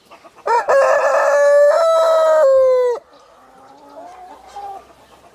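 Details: Rooster crowing loudly: a harsh rising start, then a long sustained strained note holding for about two seconds before breaking off, followed by faint soft clucking in the background.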